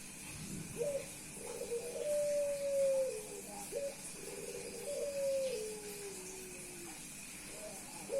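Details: Puter Pelung dove, a male reacting to a female by cooing on and on as a display. Repeated phrases: a quick rising note, a rolling run, then a long sliding tone falling in pitch, about every three seconds, with hiss.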